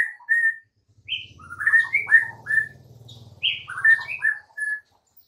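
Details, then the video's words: White-rumped shama song used as a master recording to get silent caged shamas singing: varied clear whistled phrases, some rising, others short and falling, with a low steady hum beneath the middle section. "MASTERAN Murai Batu MANDEK & BISU seketika jadi NARUNG plus NGAMUK mendengarnya"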